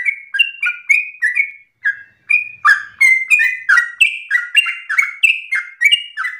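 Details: Long-breathed, insistent yellow-vented bulbul song meant as a model for young birds. Quick whistled and slurred notes run on, pause briefly near two seconds, then resume louder and denser.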